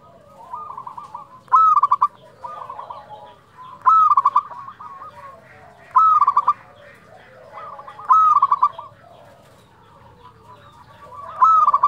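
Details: Zebra dove, local bird, singing steadily in the fluting 'nyuling' style: five bright phrases, each a sustained whistle followed by rapid clipped notes, spaced roughly two seconds apart over quieter background cooing.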